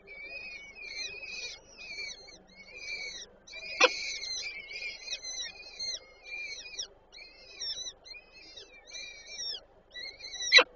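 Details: Peregrine falcon female feeding chicks at the nest, Warsaw Żerań, 8 May 2023. Bursts of short, high, arched whistles come in quick runs, broken by two loud knocks.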